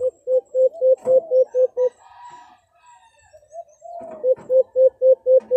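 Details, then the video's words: White-eared brown dove (alimukon) hunting lure call from the Philippines: a rapid string of low, evenly spaced hoots, a pause with faint drawn-out coos, then the quick hoots resume. "1 Hour Huni ng Alimukon"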